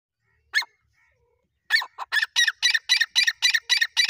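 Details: Partridge, an Irani teetar, calling during a fight: one sharp note, a pause, then a fast run of harsh, grating repeated notes, about four per second, steady and loud.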